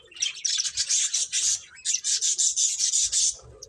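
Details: Finches chirping as they play, a rapid, raspy, pulsing run of high notes in two long bouts separated by a short break, ending abruptly.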